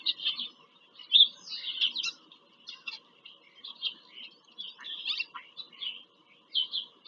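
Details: Live nest camera in PA Farm Country, Pennsylvania, 5 February 2023: bald eagles giving a long series of high, stuttering squeals and chips with short pauses.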